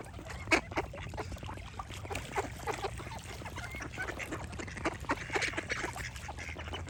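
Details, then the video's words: Many ducks quack together, about four harsh calls per second, with one loud quack standing out near the start over constant flock chatter. "Relaxing Duck Quack Sound Effects"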